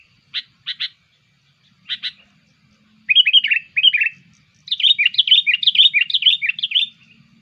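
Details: Sooty-headed bulbul lure call used to attract bulbuls: a few short separate chirps, then quick clusters of high chirping notes building into a rapid, continuous chattering run. The recording is clean, with no other sounds.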